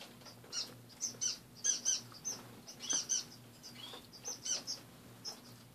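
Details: Morning chatter from a group of caged finches: bright, clipped high chirps in quick bursts, roughly one every second or so, with brief pauses between, and a soft low hum underneath.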